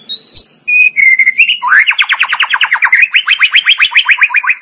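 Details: Murai batu, the white-rumped shama, from a masteran training recording: a few pure whistles, then a long, fast, rhythmic trill of rising notes repeated about two and a half times per second.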